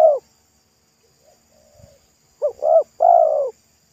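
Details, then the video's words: Local spotted dove with a thick, loud pesom-like voice, calling beside a road while being lured. One clipped coo opens, a faint murmur follows, then a full phrase of two short coos and a long falling coo. "TEKUKUR LOKAL RASA PESOM"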